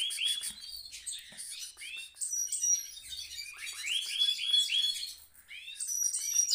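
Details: Rolling song from a caged goldfinch mule: quick twittering with many short upswept notes, clear whistled pips and scratchy chirps, delivered in a restless, uneven stream.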